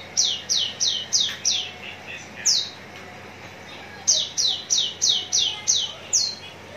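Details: Javan bush lark, prepared for contest hanging, in Cikupa, Tangerang: two strings of evenly spaced, high descending whistles, roughly three a second, with a single note and a pause between them.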